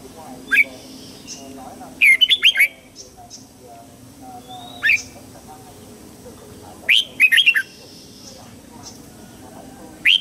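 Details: Morning song of a red-whiskered bulbul, used as training for young birds: short bursts of four to five liquid, swooping whistles spaced several seconds apart, with lone upslurred notes scattered between the phrases.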